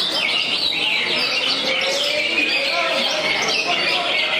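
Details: Greater green leafbird performing competition-style song in the jangkrik balap manner, with cricket-like phrases: a continuous, high, rapid warble of sweeping chirps and trills, rising and falling without pause over a busy background.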